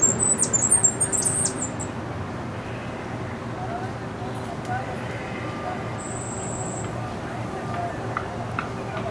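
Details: Singing Cuban grassquit, a white-footed, large and handsome bird, opens with a rapid run of high, thin chips, then after a pause gives one sustained, very high buzzy trill, with low hum throughout.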